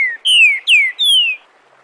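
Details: Captive Green-winged saltator (Saltator similis) singing the "Bom dia seu Chico liso" dialect, used to teach chicks: a short phrase of four clear, falling whistles, each about a third of a second, high and sweet; no other sounds.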